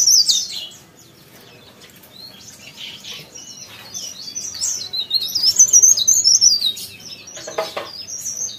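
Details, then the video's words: Leaf warbler in active song: a short high squeaky note at the start, then after a quiet pause a run of rapid, thin, up-and-down twittering notes lasting about three seconds, with a brief rustling noise near the end. "CIKRAK DAUN | PARE PARE | BLERENG GACOR"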